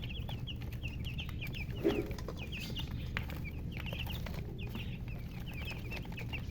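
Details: Colour chickens with a murgi hen peeping in short clusters of high descending chirps separated by small gaps, one muffled thump near the second mark, low hum throughout.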